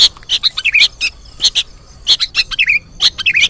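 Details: Young sooty-headed bulbul begging, recorded as a new lure combination for trapping birds: clusters of bright high chirps mixed with short down-slurred notes, arriving in quick bursts separated by brief pauses.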